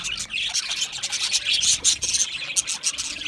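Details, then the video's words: Budgerigars, Australian budgie parakeets, chirping in a dense, continuous high-pitched chatter of overlapping tweets and warbles from several birds, with short bursts rising and falling throughout. "Budgie parrot chirping sounds"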